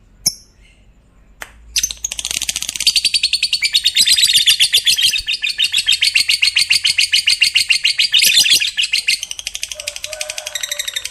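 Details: Long 'ngekek' of a fighter lovebird, a song said to make other lovebirds join in: a couple of brief chirps, then a sustained fast rattling trill lasting about nine seconds, steady in pitch and slowly fading.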